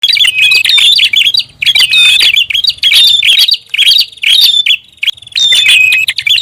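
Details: Prinia lure call, described as noisy. Loud bursts of scratchy chattering with a sharp whistled note near the top repeat about once a second, broken by short pauses. A faint low hum runs underneath.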